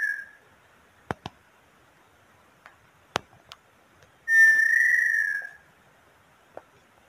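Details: Inhambu sururina, a Brazilian tinamou also called inhambu pé roxo, sings one drawn-out clear whistle that slides slightly downward; scattered clicks and knocks are heard before and after it.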